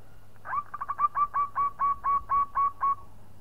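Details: Zebra dove of local stock calling to lure a rival, a fast run of soft purring coos that slows into evenly spaced rolling notes, about a dozen in three seconds.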